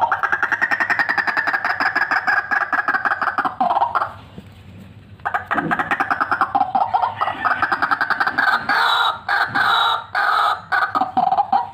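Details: Recording meant for luring a lively fighter white-breasted waterhen: a dense run of loud, hoarse, rhythmic croaks, broken by a brief pause near the middle, then the rapid pulsing series resumes.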